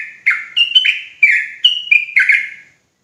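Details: ['Sooty-headed bulbul known locally as trucuk Jawa, singing to provoke other bulbuls: a dense run of five or six gurgling, fluty phrases tumbling close together with bright upper notes, then silence at the end.']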